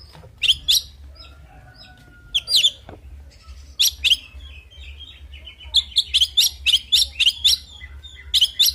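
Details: Kacer, the oriental magpie-robin, in fighting song: scattered sharp notes and a thin sustained whistle, building into a fast, steady run of loud chirps repeated about four per second, over a low hum.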